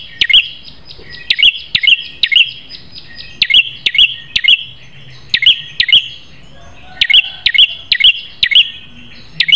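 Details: A prinia gives a long, fierce string of high, snappy notes meant as a tutoring song: bright chirps repeated in clusters of two or three with short pauses.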